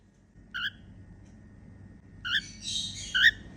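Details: Happy sounds from a female cockatiel: a short clipped whistle, then a burst of harsh buzzy chatter ending in two brief rising whistle notes, over a low steady room hum.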